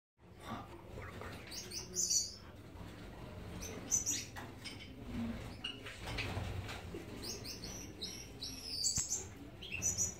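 Gouldian finches give thin, high chirps in short bursts every second or two, several birds overlapping, over a low steady hum and light rustling.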